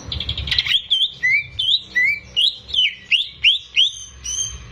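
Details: Kept greater green leafbird singing hard, offered as a lure to encourage young birds. After a burst of notes, upward-flicking whistled phrases repeat steadily about three times a second.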